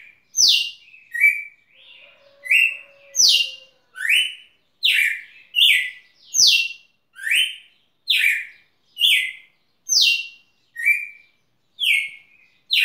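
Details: Red-cowled cardinal in song at Rio Grosso, delivering a steady run of bright downslurred whistled notes, roughly one per second, alternating higher and lower phrases, with a faint thin tone in the background.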